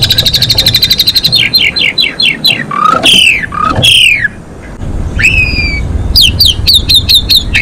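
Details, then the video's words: Female Asian pied starling song, given to bring males into breeding condition: fast rhythmic chattering chips, falling harsh squawks with lower answering notes, a rising rasp, and a closing run of sharp repeated chips. "JALAK SUREN BETINA GACOR MOMPA COCOK BUAT NAIKIN BIR4HI JANTAN"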